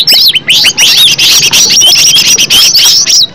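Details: Green leafbird in a natural original recording used as a singing lure; bursts of loud, shrill whistled phrases with rising and falling slurs, broken by short gaps roughly every half second.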